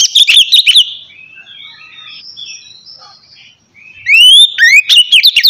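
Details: Oriental magpie-robin performing the relaxed 'ngeplong' song meant to provoke lazy birds: rapid chirps, a quieter pause with faint notes, then a clear rising whistle leading into quick, bright trills.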